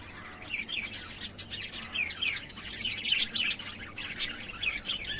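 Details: Busy lovebird chatter: continuous high, twittering chirps and quick squeaky notes overlapping one another, with no other clear sounds.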